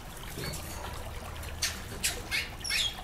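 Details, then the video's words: Rushing waterfall noise carries a short run of four quick, bright chip calls in the second half from a female chestnut-bellied seed finch, calling to stimulate her male. "Fêmea de Curió Macheando"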